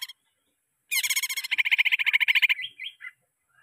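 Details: Lure song of a greater green leafbird for caged-bird training: a fast, even chattering rattle of buzzy notes lasting well over a second, ending in a few short slurred whistles.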